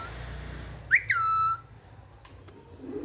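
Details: Single loud whistle from a talking pet parrot that speaks Urdu and Hindi: a quick upward flick followed by a held, level tone lasting about half a second, then quiet indoor background.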